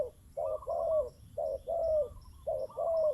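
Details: Spotted dove kept as a decoy bird, heard against a wild dove: low hollow coos in short paired phrases, a brief note then a longer falling coo, repeated about once a second.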